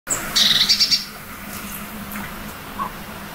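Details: Eurasian blue tit in early April in a spring forest and garden, readying a nest in a tree hollow. From a branch it loudly claims its territory: a brief run of high, thin, clipped notes, then quiet background.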